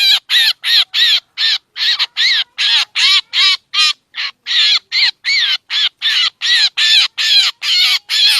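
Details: Harsh black drongo calls from a lure tape for catching birds: a rapid series of about twenty scratchy, grating squawks, some shorter and thinner, with one brief pause midway, all clean of background noise.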